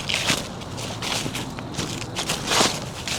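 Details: Footsteps crunch over dry ground in a steady irregular series, with no animal voices.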